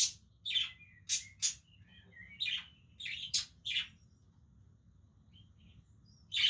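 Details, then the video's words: Playing budgerigars give a few sharp scratchy chirps with short whistled slurs, then a long quiet stretch broken by faint twitters and a final loud chirp. "Beautiful Budgies playing with each other"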